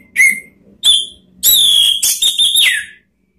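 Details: Orange-headed thrush song used to draw other birds into singing: a few strong whistled notes, then a long sustained, slightly wavering whistle ending in a falling slur.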